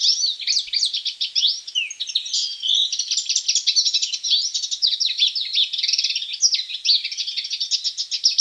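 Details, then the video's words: Hooded siskin delivering a long, unbroken twittering song of fast chirps, buzzy trills and slurred whistles, high and densely packed, changing phrase every second or so, with no other noise. "CANTO DE CABEZITA NEGRA COMÚN"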